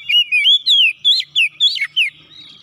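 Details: Oriental magpie-robin in full song, seeking a rival: a loud series of about eight slurred, mostly descending whistles, quick and varied, with brief gaps between notes.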